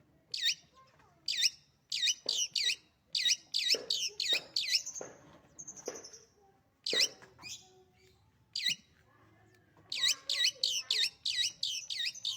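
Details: Long-tailed shrike kept as a beloved pet, singing loudly in bursts of quick, high, swooping whistled notes, a brief thin trill midway, scattered clicks and harsh chatters between phrases.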